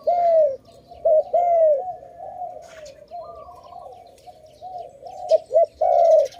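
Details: Loud, low, rounded dove coos open and close the sequence, some short and some drawn out, over a continuous background murmur of other doves cooing, recorded where birds are trapped.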